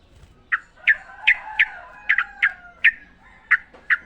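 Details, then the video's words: Sooty-headed bulbul in the wild, recorded to encourage caged birds to sing: sharp, clipped notes repeated roughly every third to half second over a faint background. "trucukan gacor ngalas full suara alam"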